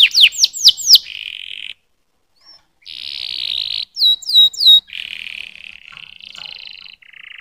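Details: Canary singing sharp downslurred whistles, then buzzy drawn-out rattles and a few bright sweeping notes, with brief pauses between phrases.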